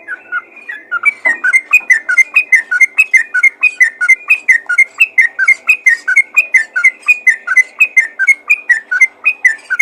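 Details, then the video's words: Yellow-vented bulbul calling to other bulbuls in a long, steady run of rapid, bubbly two-tone notes, roughly eighty-five per minute, rich and liquid throughout. "panggilan burung trucukan ropel gacor memanggil trucukan lain"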